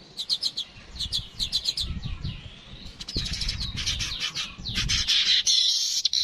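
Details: Streaked weaver (manyar kepala kuning) in a recording meant for tutoring cage birds: clipped chirps in quick bursts, a rising thin whistle, then a dense buzzing, wheezy chatter; faint low rumble beneath.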